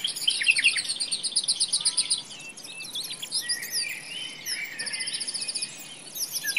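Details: Nightingale song in dense forest: bright high chirps and sharp trilled phrases, rapid repeated notes in short bursts separated by brief quieter gaps, several layered high voices, soft steady background hiss.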